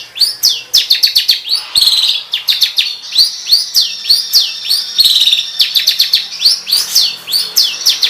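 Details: Songbird master recording with harsh fill-ins for training competition birds: a fast, continuous run of rising chirps and chattering notes, varied and unbroken.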